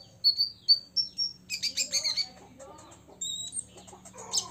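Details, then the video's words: An olive-backed sunbird aged six years sings to provoke rivals: short thin whistled notes open the phrase, followed by a dense burst of buzzy chirping and later sparse high notes. "KONIN DACOK UMUR 6 TAHUN " kolibri ninja ngobra 100% bikin lawan EMOSI ....!!!"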